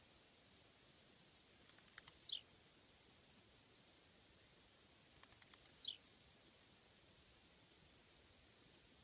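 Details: Blue-black Grassquit (Volatinia jacarina) singing two phrases roughly three and a half seconds apart. Each starts with scattered soft clicks and a rapid ticking run, then ends in a loud, high, buzzy note that falls steeply. A faint steady high hiss continues throughout.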